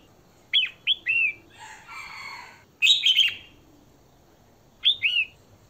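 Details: Female red-whiskered bulbul song to excite males: a few quick falling whistles, a noisy rasping burst, then loud harsh double notes and another whistled phrase, spaced by short pauses.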